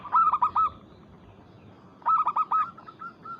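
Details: Calling a rival, a local zebra dove gives two brief phrases of three or four rounded, throaty coos, about two seconds apart, the second phrase trailing into softer spaced notes.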